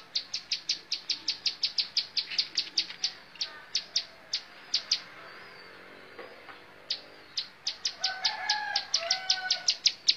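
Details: Montal mantul song of a bar-winged prinia: rapid bursts of piercing high clipped notes, dense at first, a silent gap of about two seconds, then another quick run with softer lower tones mixed in.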